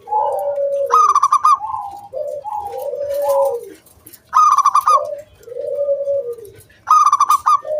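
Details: Local zebra dove performing its lure song to prompt other doves: steady low cooing notes stepping between two pitches, broken by three loud rippling trills.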